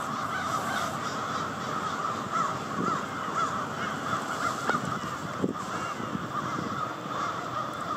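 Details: Crows by the hundreds descending on Victoria Park in Charlottetown, Prince Edward Island, at night; a steady roar of countless overlapping caws, with a few nearer, sharper calls rising briefly above the din.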